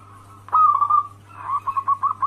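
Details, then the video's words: Wild local zebra dove, a lure call meant to draw replies from other zebra doves: soft, low cooing phrase with a drawn-out note followed by a quick run of short, evenly pulsed coos, steady low hum beneath. "Pancingan perkutut lokal alam gacor"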